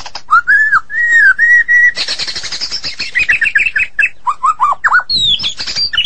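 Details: Energetic Medan-type white-rumped shama song. A string of smooth, arching whistles gives way to a rapid, dense twittering passage, then low downslurred whistles and high chattering notes.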